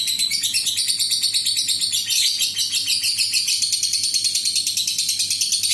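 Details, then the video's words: Adult fighter lovebird delivering a long ngekek trill, used to provoke other lovebirds into singing. An unbroken, high, rattling chatter pulses steadily, about three beats a second. "SUARA BURUNG LOVEBIRD INI AMPUH UNTUK PANCINGAN LB LAIN NGEKEK PANJANG"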